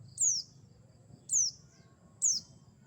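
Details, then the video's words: Three thin, high-pitched descending whistles from a mountain white-eye, played as a lure call for trapping birds, spaced roughly a second apart against quiet low ambient noise. "pancingan burung pleci buxtoni"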